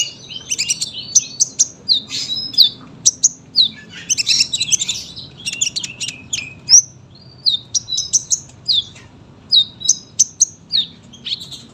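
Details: Sunbird producing a long song of high chirps, twitters and short slurred whistles in irregular bursts with small gaps, sharp and clear above faint low hum.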